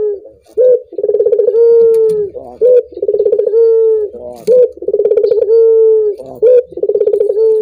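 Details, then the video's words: Repeated cooing of a collared dove (puter), played to set other doves singing. Each phrase opens with a short clipped note, then a rapid rolling trill of pulses, then a sustained mellow coo. About four phrases sound in steady succession. "Suara burung puter ini membuat puter anda ikut gacor"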